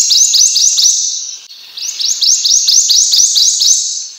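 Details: Prothonotary warbler song blurred by echo or processing: repeated rising bright notes in two runs, smeared into a continuous ringing tone between them.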